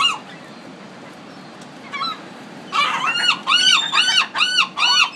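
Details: After two seconds of near quiet with one isolated note, a gull in a Pacific city launches into a rapid string of loud, arching, squealing calls.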